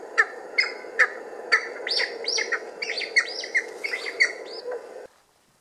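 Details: Cheer pheasant leaving cover utters harsh clucks, joined midway by higher, squealing, rising-and-falling notes in a busy run before the sound cuts off abruptly.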